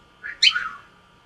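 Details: Gray male cockatiel, about 16 years old, kept in a cage at home, calling from a corner of his cage to his owner: a short, harsh two-part chirp, a buzzy lower note followed by a louder, higher rasping note that falls away.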